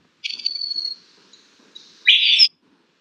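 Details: A ferruginous babbler gives a high, thin whistle sliding slightly downward for most of a second, then after a pause a loud, harsh burst, like a bomb dropping or something falling off a cliff.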